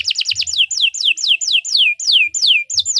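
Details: Canary singing a long song meant for tutoring other birds: a series of sharply descending high whistled sweeps, each about a quarter second, repeated steadily with brief gaps.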